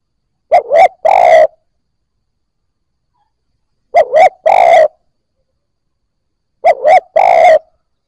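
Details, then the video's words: Cooing spotted dove, for stimulating freshly caught birds to coo: three identical phrases about three seconds apart, each two short rolling notes and a longer mellow coo, nothing else audible. "Tiếng cu gáy kích bổi nhanh nổi"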